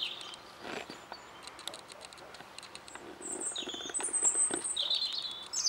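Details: European robin singing in spring 2014, in reply to a robin recording being played back, with thin, high, sparkling phrases in short separate bursts, some very shrill, over scattered soft clicks and tapping.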